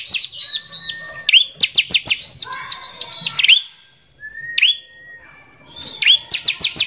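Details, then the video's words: Bar-winged prinia, a lively 'gacor' bird singing in the rough 'nembak kasar' style, used as a lure to provoke other prinias. Sharp, high chirps come in quick rattling bursts with short pauses, plus a thin whistled note. "IKUT BUNYI, PANCINGAN CIBLEK GACOR NEMBAK KASAR INI PALING BISA BIKIN CIBLEK EMOSI"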